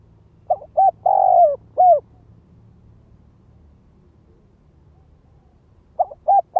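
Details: Lure Spotted dove calling in the gáy gọi, thúc, kích bổi style: a four-note coo phrase of short notes around a long, descending middle note, then a few seconds of silence before the next phrase begins.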